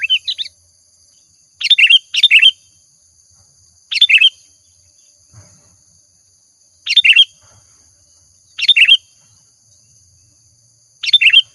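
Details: Sooty-headed bulbul used as a lure call: single and paired bubbly chirps at irregular gaps of one to three seconds, with a faint steady high hum behind.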